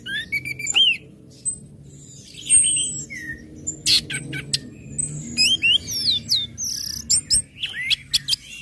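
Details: Orange-headed thrush singing ngecip, ngecit and ngeplong phrases used to rouse other birds to join in: varied high whistles, sharp chips and slurred notes in quick irregular bursts over a low steady hum.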